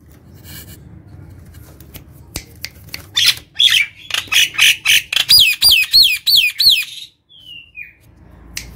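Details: Gacor Nias hill myna singing to stimulate other birds: a quickening series of sharp, harsh notes building into loud, repeated upward-then-downward whistled swoops, about three per second, then a thin fading whistle.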